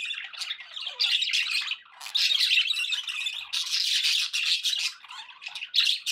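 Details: Several pet budgies keep up a loud, scratchy warbling chatter with squawky notes, broken by a brief lull near two seconds before a burst of busier, louder twittering.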